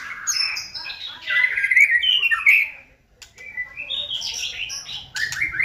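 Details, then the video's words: Caged white-rumped shama singing as a lure: dense rapid warbling with high whistles and harsh squawky notes for two and a half seconds, a short pause, then renewed varied whistled phrases. "JOSS LANGSUNG RESPON !!! untuk pancingan MURAI BATU agar GACOR dan LANGSUNG EMOSI bongkar isian"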